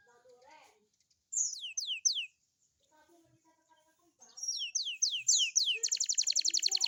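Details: Young canary singing in the morning as a lure for young birds. Faint soft notes open, then three falling whistled swoops, a pause, and a burst of swoops running into a rapid buzzy trill.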